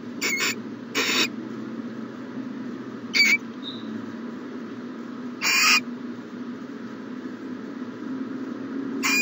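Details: Owl in a nest box during the morning, 1-14-20: short, rough hissing bursts at irregular intervals, several seconds apart, with a faint whistle between them and a constant low hum underneath.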